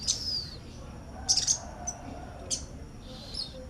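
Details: Brown-throated sunbird (sogok ontong) chattering sharply beside a female konin bird: short, very high thin chirps and descending squeaky notes in scattered bursts, with faint background hum.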